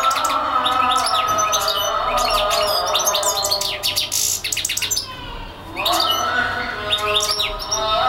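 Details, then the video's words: A European goldfinch that sings for hours without stopping delivers rapid twittering phrases of high, slurred chirps with a few buzzy notes, a brief lull, then renewed tinkling twitter over droning lower tones. "European goldfinch singing/song"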